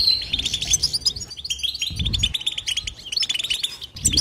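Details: Busy 'betbeta' twittering from a European goldfinch: rapid high chirps and buzzy trills, cut by a couple of short, low thumping noises.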